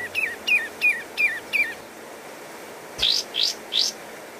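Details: Pied triller song used as a tutor recording for songbirds: five quick, clear whistled notes sliding downward, about three per second, then three rising buzzy notes, with faint background hiss throughout.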